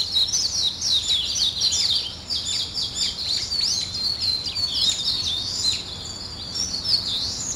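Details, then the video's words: Morning birds chattering in high quick chirps and slurred whistles, several voices overlapping, a short quieter gap near the middle, faint hiss throughout. "아침을 깨우는 새소리 2 ,Birds wake up in the morning 2"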